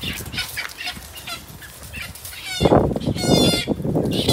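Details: Rooster courting a hen: quiet scattered clucks at first, then from about two and a half seconds loud harsh harmonic calls mixed with bursts of wing flapping and scuffling.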